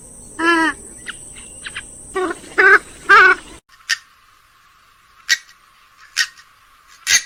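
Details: Purple swamphen (grey-headed swamphen) giving loud, nasal, honking calls in short rattling bursts, then a few sharper clipped notes, over a thin, steady, high insect-like hiss.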